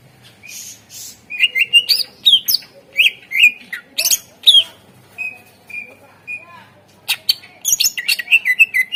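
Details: Greater green leafbird, played to make other birds sing, delivers a long varied stream of sharp chips, slurred whistles and buzzy trills, with a few pure drawn-out whistles midway.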